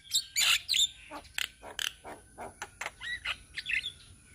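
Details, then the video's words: Javan mynas from Indonesia, a flock of untrained birds singing together: dense bursts of harsh, buzzy chirps and short squawks about three per second, with brief whistled notes near the start and end and a faint steady high hiss behind. "Masteran Jalak Kebo Bahan - Jalak Kebo Ombyokan - Kicauan Burung Jalak Kebo Indonesia"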